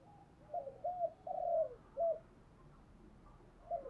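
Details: Decoy spotted dove cooing thúc gù style, several mellow, slightly falling coo notes over steady background hiss and low rumble.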